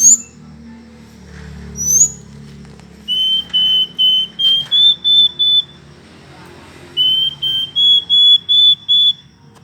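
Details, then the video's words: Hill blue flycatcher singing: two high thin upslurred whistles, then two phrases of clear steady whistled notes, about seven each, stepping slightly higher partway through, with faint low background hum. "burung sikatan ninon/burung sikatan biru muda ngoceh"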